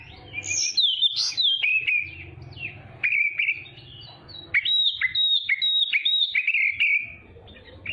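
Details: Oriental magpie-robin used as a tutor recording for young birds: loud, fluty whistles sliding down, rapid chattering sections and a long warbled run of high notes, sung in strong bursts with short pauses.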